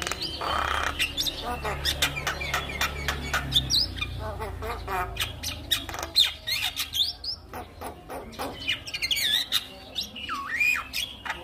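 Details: Javan myna song meant to coax mynas that have gone quiet back into singing. Loud clicking and rasping squawks alternate with bent, wavering whistles and sudden dipping slurs.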